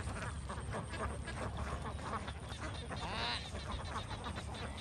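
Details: Large flock of young domestic ducks on a farm in Vietnam, a dense, continuous wash of overlapping nasal quacks and chatter with no pauses, plus a brief higher whistled sweep near the three-second mark.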